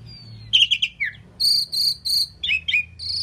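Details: Indian pied myna that talks, saying phrases such as "Kazi Bhai" and "Mynah": a run of varied harsh, chattering syllables, three steady high nasal notes in a row, then falling squawky slurs and a final high note.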